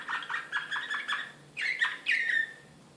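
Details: Excited Serbian Slavujar canary, Belgrade 2016, singing a series of quick chirps followed by two louder, drawn-out whistled slurs.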